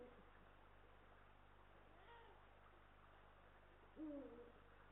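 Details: Eurasian eagle-owl pair, male and female, at a nest watched by a live nest camera in Estonia on 18 March 2022; one low, short, slightly falling hoot near the end, after a long hissy background.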